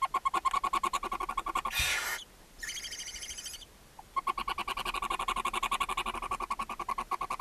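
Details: Feeding time for seven barn owlets and their mother in a chimney nest box at Ságvár, Hungary, May 4, 2024: continuous rapid pulsed chittering, broken by a sweeping hiss and a short rasp.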